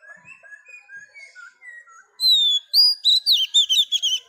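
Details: Wild-caught female Oriental magpie-robin singing to stimulate males. Quiet repeated whistles from another bird come first, then a loud sustained whistle and a rapid string of sweet warbled notes.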